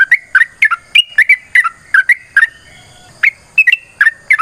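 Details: Sooty-headed bulbul with a fighting-style long rolling song: quick bright whistled notes in bouncing groups, a short lull, then the notes resume.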